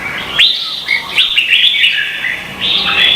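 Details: Red-whiskered bulbul singing competitively in Vietnam, a recording meant as a training lure: a clear upswept whistle leads into lively, bubbling warbles and chirps, then a brief pause and another loud warbled phrase.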